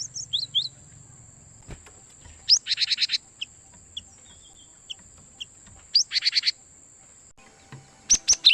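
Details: Cinereous tit calls used as a lure for trapping wild birds: sparse sharp high chirps, two rapid buzzy rattling bursts near two-and-a-half and six seconds, closing with quick high notes over a steady thin high tone.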